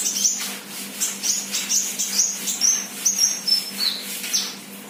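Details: Untrained sunbird ('bahan') singing in 'gacor' form: a lively string of short, high, slightly falling chips, roughly two per second, each sharp and thin, over a steady low hum.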